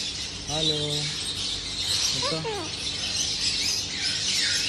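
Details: A white cockatoo trying to talk gives two short harmonic, voice-like utterances about a second and a half apart, amid repeated "hello" prompts, over a steady hiss.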